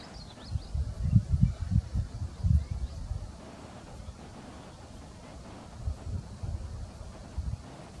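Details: On 20 May 2016 at Alligator River NWR, Dare County, North Carolina, a male Wild Turkey displaying for a nearby female gives very deep, thumping low pulses in two short bursts separated by a quiet pause, with faint rustling behind.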